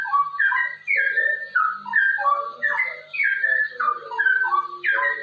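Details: Straw-headed bulbul (cucak rowo) singing in the fast rolling 'ropel' style, used as a master recording to prompt other bulbuls to sing. Loud, liquid whistled phrases slur downward and bubble along in quick bursts without pause.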